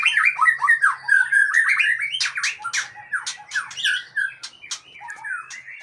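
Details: Aceh-type white-rumped shama with a long tail opening with a run of clear rising and falling whistles, then breaking into harsh, scratchy notes and sharp chips, the song fading somewhat toward the end.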